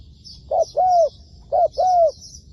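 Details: Spotted dove used as a trapping decoy, cooing twice in a short-long pattern, mellow and low, over steady high twittering from other birds in the background.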